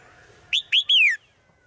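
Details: Female bird in the forest sings to the male with three clear high notes, the last longest and slurring downward, against quiet low background noise.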